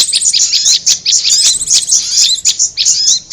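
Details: Lure recording of a prinia, fast high-pitched twitters and sharp chirps running without a break, thin slurred whistles woven through the busy chatter.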